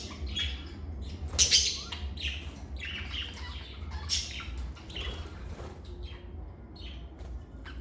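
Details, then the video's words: Pet lovebirds chattering with scattered harsh, high chirps and squeaks, one loud burst early then softer irregular notes, low hum in the background. "Lovebird Singing & Chirping Sounds"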